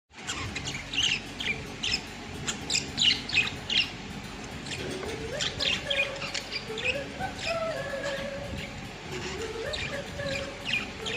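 Budgerigars chatter in a rapid, busy warble of scratchy chirps and short whistles.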